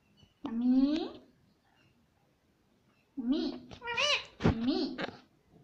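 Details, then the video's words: Talking pet parrot saying words such as "Mummy"; one drawn-out rising nasal syllable, a long pause, then a rapid string of squeaky, arched speech-like syllables broken by a sharp click. "Talking parrot - Mummy Mummy Bolne Wala Tota - bolne wala tota - Mitthu mitthu."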